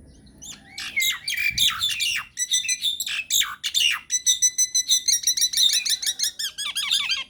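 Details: Loud myna lure recording for drawing answers from other mynas: harsh squawks and screeches at first, then a long, rapid series of high looping whistled notes repeated about twice a second.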